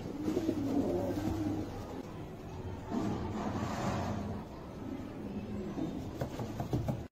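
Fancy pigeons cooing in low, throaty, rolling murmurs that repeat steadily.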